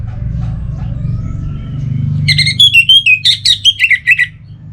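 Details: Orange-headed thrush (anis merah), kept for song, starts singing after two quiet seconds of low hum. It pours out quick, rich whistled phrases that twist up and down and step lower toward the end, with brief gaps between notes.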